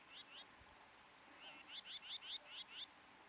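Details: A common whitethroat gives two short, high, scratchy notes, then a quick run of about seven similar chirps, roughly four a second, over a faint hiss.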